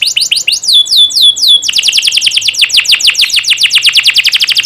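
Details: Canary master song used to train young canaries to sing: fast rolls of steep downward-sweeping notes, first slower whistled slurs then a rapid even trill near four to six per second, loud and clean.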